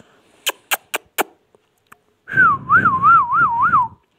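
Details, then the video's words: Pet ringneck parrot, labelled a Pakistani talking parrot: four dry clicks, then one long warbling whistle that wavers steadily up and down about six times before dropping off, with a rough lower buzz underneath. "amazing ringneck |talking sweet| parrot"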